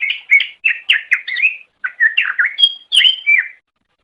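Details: Greater green leafbird singing, a recording meant for training caged songbirds: quick phrases of slurred, whistled notes repeated in short bursts, with a clear high whistle near the end.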